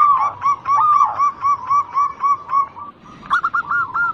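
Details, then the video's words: Lure recording of a local zebra dove: rapid run of short nasal cooing notes, roughly four per second, fading briefly before a quick burst of clipped notes at the end. "Pancingan burung perkutut lokal gacor pintar merayu cepat bunyi"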